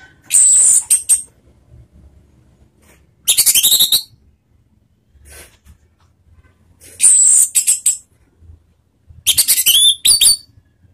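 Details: Orange-headed thrush lure sound used to trigger singing, ngeriwik style: four short, very high, scratchy chattering bursts, each about a second long, separated by quiet gaps of two to three seconds, over faint low background hum.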